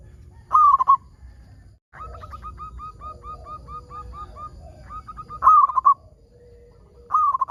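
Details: Zebra dove, local type, singing to prompt others of its kind to sing; three loud trilled cooing bursts with long stretches of soft, regularly repeated coos in between and a quieter low note underneath.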